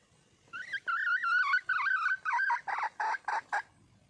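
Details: Wild hen red junglefowl seeking a male gives wavering, drawn-out squeals that break into a quick series of shorter, harsher clucks, the notes getting clipped and choppy toward the end.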